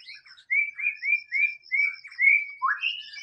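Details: White-rumped shama in the wild: a series of bright whistled upslurs repeated about every third of a second, ending in a lower burry note.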